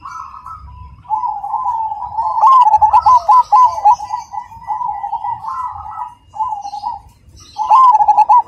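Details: Black cemani zebra dove singing actively, loud and clear: rolling coos build into loud rhythmic runs of quick bouncing notes, with a final burst at the end and quieter doves cooing between phrases.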